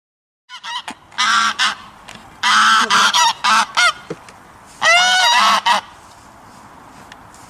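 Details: Goose honking in loud, harsh bursts, several long nasal honks between 1 and 6 seconds, some with a rising then falling tone, separated by brief quiet gaps.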